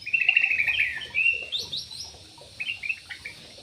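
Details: Aviary parakeet letting out a loud, rasping screech, then rising, chattering squawks and scattered shorter notes.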